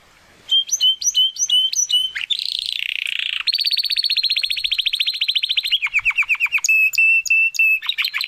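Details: Young Spanish Timbrado canary seeking its full song: spaced sharp chips, a buzzy roll, a long rapid rattling trill, then a slower run of notes and a clear repeated whistle, with a few faint knocks.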